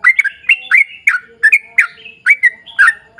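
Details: Rapid chattering song of a sooty-headed bulbul, played to lure its own kind into song: tight clusters of bubbly, bending notes with a few longer level whistles in between.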